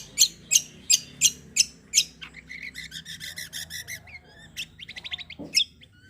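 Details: Cucak kombo in full, shooting song to draw song from other birds: six loud harsh chips about every third of a second, then rapid buzzy trilled notes and short fast whistled runs.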